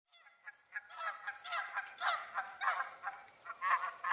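A flock of geese honking, with nasal, overlapping calls several times a second that grow louder and more crowded toward the end.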